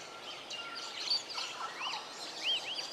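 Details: Wild Rainbow Bee-eater in Cairns, Australia: a few short arched, slurred notes rising and falling in a mid-high pitch, with a faint steady tone and other distant birds chirping in the background.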